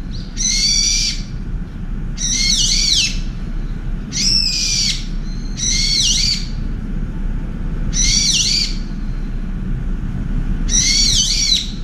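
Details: Two Brown-eared bulbuls feed in turn at a window feeder; one, angered after an Oriental turtle dove drives them off, gives loud, harsh, ear-splitting screeches about every two seconds to chase the dove away, over a steady low rumble.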